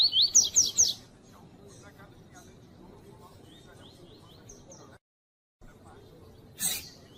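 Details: Female double-collared seedeater (coleiro tui tui) calling to stimulate males; opens with a burst of rapid, high, sharply falling chirps, followed by faint repeated upslurred notes, a short silence and a rustling thump.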